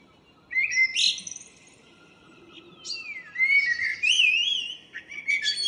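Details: In the morning of 02/04/2013 a local blackbird gives varied phrases. There is a quick high squeal, a long falling slur, then warbling whistles that rise and twist upward.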